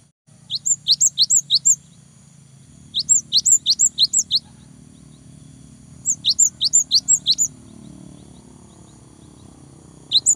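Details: Lively cinereous tit song meant to rile a rival into answering: four quick phrases of piercing paired whistles, about five or six notes each, separated by short pauses, with a faint low hum beneath.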